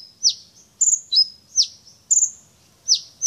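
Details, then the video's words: Brown-throated sunbird, a champion bird, unloading its repertoire: thin, shrill downslurred chirps and sustained high whistles trade off in an uneven rhythm, about two phrases a second, with faint low background rumble. "Burung kolibri ninja dada coklat sang juara bongkar isian"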